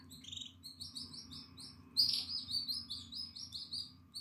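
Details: Nine-day-old Atlantic canary chick, eyes open and feathers coming in, in the nest on 14 April 2022; a rapid series of thin, high chirps, growing louder partway, over a faint low hum indoors.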